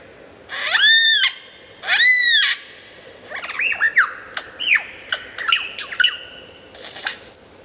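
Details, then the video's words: Lyrebird singing loudly and clearly for tutoring songbirds: two long arched squawking notes, then a jumble of shorter whistles and clicks, closing on a thin high whistle. "suara burung lyrebird gacor"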